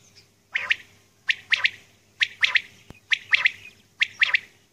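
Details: Female common quail calling at early morning: short, harsh double and triple notes repeated in groups roughly every 0.8 seconds, six groups, over a faint low hum.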